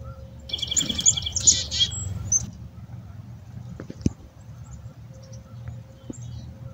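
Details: A black-capped chickadee, one of several being hand-fed, gives a quick run of high chips followed by buzzy, harsh dee notes, lasting about two seconds, over low background rumble and a faint click.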